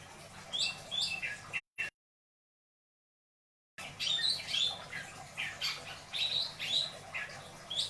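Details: Pet long-tailed shrike from Indramayu in 'isian dor beledos' style, giving rapid squawky chattering notes in a quick series, broken by a brief silent gap.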